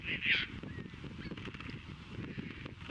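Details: Caspian terns courting on Montrose Beach, Chicago, on April 22, 2024, catching fish, offering them to potential mates and mating; a single loud, harsh, rasping cry opens the clip, then only fainter calls over a constant low rumble.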